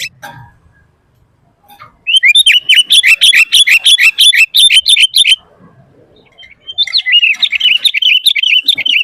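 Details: Sooty-headed bulbul in lively full song, used as a master and lure to make bulbuls answer and sing; rapid run of bright chirped notes repeated several times a second, a quiet pause, then another burst of fast chirps.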